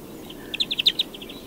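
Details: European greenfinch giving one short trill of about half a dozen quick, bright chirps that get louder in the middle and then fade.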